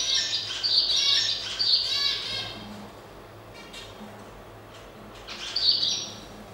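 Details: A zebra finch pair courting and mounting, with bursts of nasal, buzzy, toy-trumpet calls.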